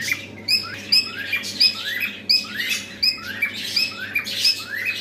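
A cockatiel gives bright, rising whistles and squawky chirps, repeated over and over in quick succession.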